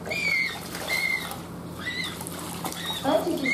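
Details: A recently fledged Humboldt penguin chick, grown large but with a still-childish voice unlike adults' deep calls, gives thin, high, slightly wavering peeps about once a second, in a zoo park.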